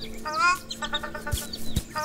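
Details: Ruddy Shelduck parents at Keshiketeng, Inner Mongolia, call anxiously from outside the nest hollow to ducklings climbing out. Nasal, harmonic honking calls, one long at the start and another near the end, with background music throughout.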